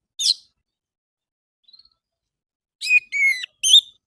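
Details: Orange-headed thrush singing in the morning, used as a lure to get captive birds to sing: a sharp high note, a pause, then a quick run of clear whistled and slurred notes, quiet background.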